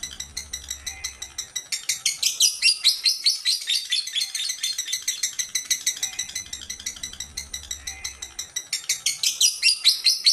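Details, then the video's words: Calls of an elderly female lovebird, a steady series of piercing, high chirps at roughly two per second that swell in intensity in two waves, with a low background hum between them. "Panggilan suara lovebird betina tua"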